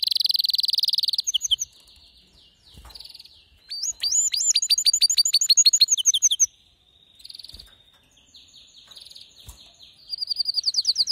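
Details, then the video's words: Male canary singing intensely: a loud buzzy roll, softer passages, then bouncing rising whistles and quick trills, with quiet pauses between bursts. "هيجان ذكرى كناري سيجبر كناريك على التغريد فورا"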